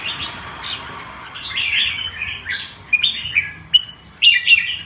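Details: Red-whiskered bulbul kept as a cage bird, singing in a showy performance style: bright warbled phrases of quick rising and falling notes, with sharper clipped whistles toward the end and a quiet background.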